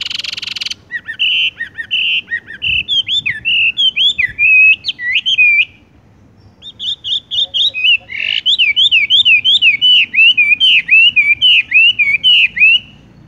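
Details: Horsfield's bush lark in the tung roll gantung langsung ngerol song style: loud, clear, high trills and twisting whistled phrases, a brief pause, then a long rapid rolling series of repeated zigzag notes.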